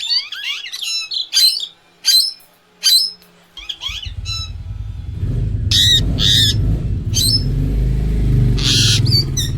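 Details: Indian ringneck parrot giving a run of sharp, harmonic squawks and upswept calls in quick succession. A steady low rumble then takes over, with a few more loud screeches above it.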